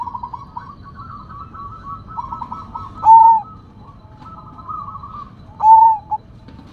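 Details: Sumbawa zebra dove, a rare bird singing steadily with a big voice: long chains of fast quavering trilled notes, each phrase closed by a loud, pure, falling coo, two coos about two and a half seconds apart, with a faint low hum behind.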